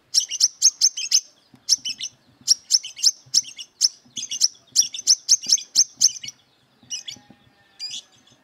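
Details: A combative brown-throated sunbird, seeking opponents, pours out fast high-pitched chirping phrases, tight clusters of sharp notes repeated several times, tailing off into fainter scattered notes near the end.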